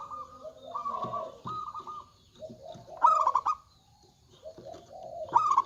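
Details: Local zebra dove with a big voice, used as a lure to set other doves calling: low, mellow cooing phrases, each opening with a quick stuttered burst and then a sustained hollow coo, repeated about every two and a half seconds.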